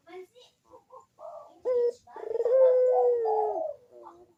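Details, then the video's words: Puter (ringneck dove) cooing, a lure to get reluctant doves singing. Soft short notes lead in, then a brief coo. A long, steady, low coo follows and ends with a small faint note. "KUK DERUK BURUNG PUTER GACOR MANGGUNG ‼️PANCINGAN AMPUH UNTUK BURUNG PUTER YG MALAS BUNYI"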